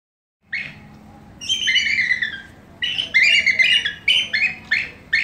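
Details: Bald eagles give high, thin, chittering notes in rapid broken bursts, several squeaky piping phrases over about five seconds, with a faint low hum behind.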